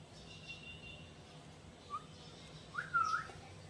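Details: A pet Alexandrine parakeet, preening indoors, gives two brief mid-pitched whistles, a tiny chirp then a longer wavering note about a second later, over a quiet indoor hum.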